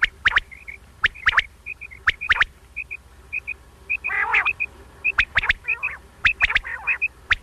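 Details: Quail calls for morning and night hunting: crisp notes struck in quick pairs and threes, a rougher warbling burst midway, and a steady run of faint high twittering chirps behind.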